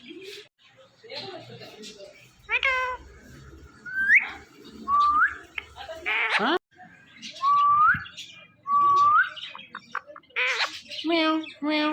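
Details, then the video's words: Pet Indian ringneck parakeet talking and whistling: short rising whistled notes repeated several times between raspy, speech-like phrases and brief squawks. "Funny Indian Ringneck Talking Parrot"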